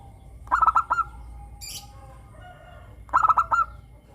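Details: Crystal-voiced local zebra dove, a strong singer used as a lure for captive doves: two bursts of five rapid, rolling coos, roughly two and a half seconds apart, with faint hum between.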